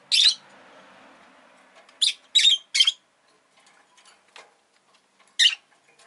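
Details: Rosy-faced lovebird kept as a pet, uttering harsh, raspy, high chirps. One burst is followed by a quick cluster of three, then a last call. A soft low murmur fills the gap after the first.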